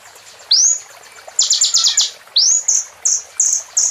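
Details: Plain prinia song with bar-winged prinia phrases: rising whistled swoops alternate with short clusters of buzzy high notes and a series of separate, evenly spaced chirps.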